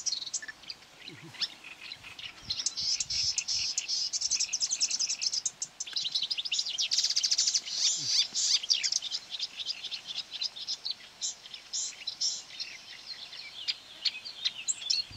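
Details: Marsh warbler on 9 May 2020 by quarry workings, lured with playback, fiercely trying to outsing a hanging mobile phone. A long, dense, unbroken stream of scratchy chatter and high twitters rises into rapid rattles.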